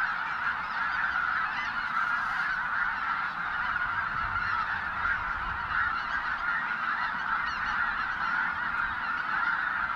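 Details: Thousands of snow geese at Goose Pond Fish & Wildlife Area, Linton, Indiana, give an almost deafening, constant roaring wall of nasal, high-pitched honks, voices overlapping without pause.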